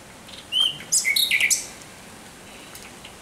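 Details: Short night phrase from a thrush nightingale on 17 May 2023: a clear whistle, then a tangle of high, varied whistled notes, followed by quiet.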